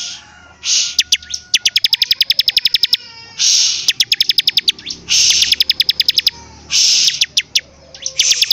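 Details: Bar-winged prinia singing actively: bursts of fast, high, dry ticking notes alternate with harsh buzzy high-pitched rasps, the pattern repeating steadily through the recording with no other clear sounds.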